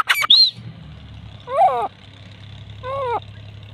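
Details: Female grey francolin calling: after a sharp high squeak, two nasal, harmonic-rich calls sound about one and a half seconds apart, each bending up then down, over a low engine-like hum.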